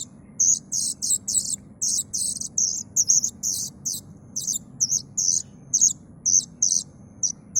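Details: Young plaintive cuckoo giving high, thin, rasping notes. They are repeated steadily, roughly two or three each second, over a low background rumble.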